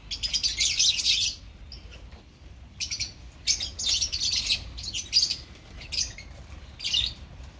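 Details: Colony of opaline lovebirds giving shrill, clustered chirps in short bursts separated by brief quieter gaps, several birds calling over one another above a low hum.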